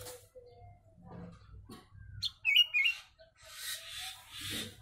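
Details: Sooty-headed bulbul with a song carrying Javan myna imitations, used as a training recording: a short burst of loud, liquid slurred whistles in the middle, between softer scattered notes and hissy rushing noise, with a low hum throughout.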